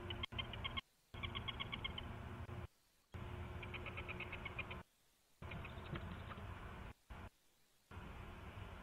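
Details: Owl dinner call on 25 October 2016 at 6:14 PM, after mice were delivered to the owlets: rapid bursts of short, high, evenly spaced notes in several trills over a steady low hum.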